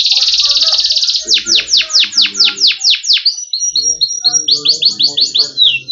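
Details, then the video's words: Yellow canary singing: a dense buzzy trill, then a run of loud descending chirps, soft whistled notes and rising chirps, with faint low hum and soft background tones. "Canary Bird Sound | Yellow Kanari Sound | Canary Bird Song"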